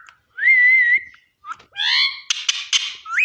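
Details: Parrot heard while eating, giving a sustained level whistle, then a short chirp, a layered nasal voice-like phrase, and a run of harsh buzzy squawk bursts ending in a quick rising whistle.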